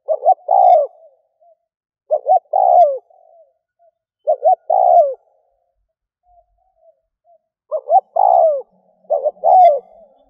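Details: Spotted dove used as a lure for other doves, giving repeated coo phrases: short paired notes leading into a longer downward-sliding coo, about every two seconds, with a pause in the middle and no background noise.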